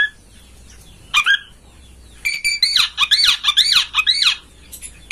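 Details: Harsh buzzy chatter of an oriental magpie-robin, a master recording to make a kept bird open its tail and sing; one short note, then a fast grating series of about eight bursts.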